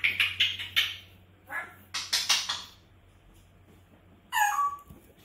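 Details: Pet grey parrot indoors screaming: a quick run of harsh, rasping bursts in the first second, more loud grating screeches near two seconds, then a final drawn, falling squawk with clear overtones; steady low hum in the room.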